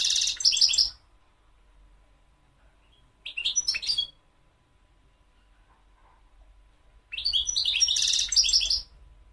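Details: Three separate bursts of high, tinkling twitter and buzzy trills from a European goldfinch, the quiet gaps between them lasting several seconds.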